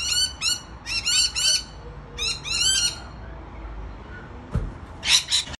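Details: Rainbow lorikeets at a balcony making piercing, high screechy chatter in quick clustered bursts, then a pause, a dull thump and a final harsh squawk.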